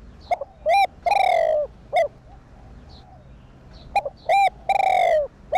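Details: Lure cooing of a spotted dove (cu gáy) for stimulating caged birds: short hooked notes followed by a long falling coo and a brief end note, given twice in quick succession.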